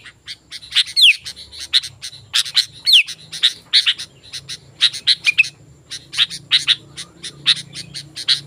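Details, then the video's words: Sooty-headed bulbul singing briskly as a lure and training model: long rapid series of sharp chirps with two steep falling whistles early on, over a continuous low hum. "Suara Burung Kutilang Gacor"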